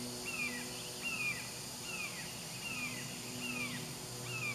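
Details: Recently fledged young hawk receiving lizards from its parent, giving six high, thin, descending squeals spaced roughly evenly at just under one per second, with a low constant hum and insect buzz behind.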